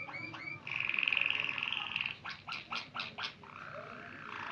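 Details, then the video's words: White Waterslager canary singing: a few short notes, then a loud sustained trilled tone, followed by a row of five separate knocking notes and a softer low rolling phrase. "white waterslager canary singing very nicely"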